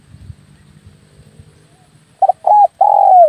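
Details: Hunting lure call of spotted dove: quiet low murmuring background, then a burst of three loud coos, two short and a long final one sliding slightly downward.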